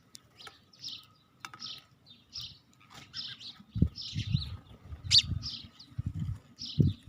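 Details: Sparrow giving a series of short, high, sharp chirps spaced roughly every half second, mixed with dull low thumps and knocks close by.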